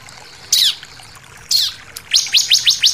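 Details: Intense 'shooting' song of the bar-winged prinia, with variations, for tutoring captive birds: two sharp descending notes a second apart, then a quick run of five high downslurred chirps.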